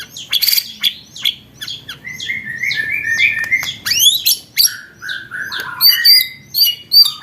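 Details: Training recording of white-rumped shama song for contest birds: a varied string of sharp high chips, slurred whistles and short trilled phrases, with brief pauses between bursts.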